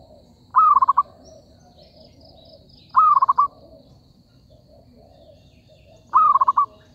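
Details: Zebra dove used as a lure in trapping, repeating a brisk trilled cooing phrase three times at irregular gaps of about three seconds, faint birds and hum underneath.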